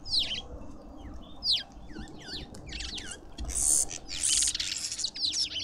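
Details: A garden feeder in suburban Pretoria, South Africa, with lovebirds making shrill, twisting squeaks about every second, then harsher buzzing chatter toward the end.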